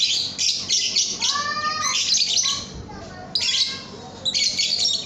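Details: Young lovebird (paud) training song: harsh high chattering bursts, then a few clearer descending whistled notes near the middle, then more scratchy chatter toward the end.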